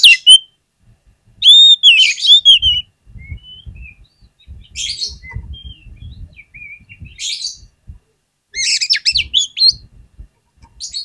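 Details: Lure song of an oriental magpie-robin, meant to get other magpie-robins singing: clear whistled phrases and sharp trilled bursts scattered with gaps, over faint low thumping noises in the background.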